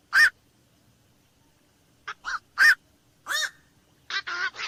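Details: Black-crowned night heron squawking, one loud bark, a gap, then several rough calls ending in a quick run of three grating notes.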